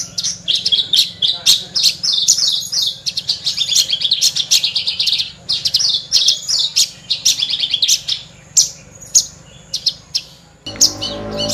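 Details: Horsfield's bush lark singing a lively 'gacor' song, a species noted for mimicking other birds: rapid high chirps and trills in dense bursts, with a short low rumbling noise at the very end.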